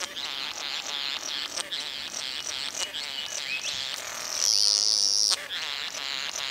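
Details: Satin bowerbird during courtship, giving a dense run of buzzy, rasping pulses repeated rapidly and irregularly, with a sustained high whining tone near the end.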